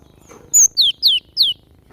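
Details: Glatik batu (cinereous tit) singing energetically: one short high whistle followed by three loud downslurred whistles spaced evenly, about a third of a second apart.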